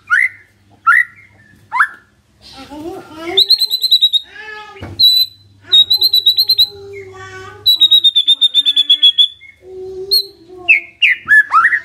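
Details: White-rumped shama singing as a lure to trigger a response from a silent bird: varied phrases mixing slurred whistles, fast rattling trills and chattering bursts, delivered in quick succession.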